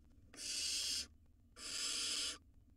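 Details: Two wild barn owl nestlings in a nest box swallowing rodents simultaneously; two long, harsh hissing screeches, each roughly three-quarters of a second, separated by a brief pause.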